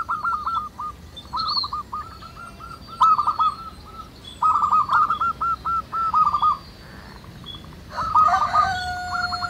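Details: Many local zebra doves singing together in the wild. Bursts of quick, rolling coos are broken by short pauses, with several birds overlapping and faint high chirps behind.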